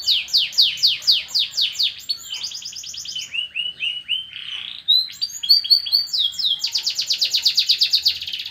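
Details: Canary with newly grown feathers, singing loudly and continuously: fast trills of descending sweeps, then rolling buzzy phrases, a lower warbled stretch, and a closing rapid high rattle, in a clean recording.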